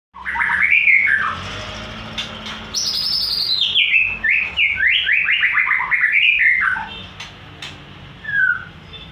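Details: White-rumped shama singing loudly: a fast run of clear whistled notes that rise and fall, a long descending series of bright slurred phrases in the middle, and a short final whistle.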